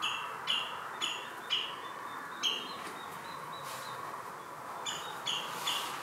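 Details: At Marshside RSPB Reserve in Southport, Lancashire, mid-July 2018, a common redshank with chicks gives short, high piping notes in uneven bursts, with pauses between groups and a hissing background.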